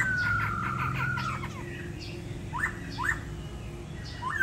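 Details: Caged laughingthrush filmed at home in Hanoi, tail moulting, judged a promising bird with a good voice. It gives a run of rapid whistled notes, then loud rising slurred whistles about half a second apart, over a low hum.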